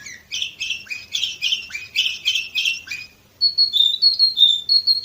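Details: Canary of the Orpheus type from Varna, Bulgaria, 2018, delivering a quick series of rich chirping syllables, about three per second, then a pause and a row of clear, even whistled notes.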